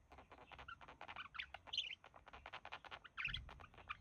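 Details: Pet budgie couple relaxing, the male mimicking human voices; continuous quiet chattering of ticks and small whistles, a faint low thump near the end.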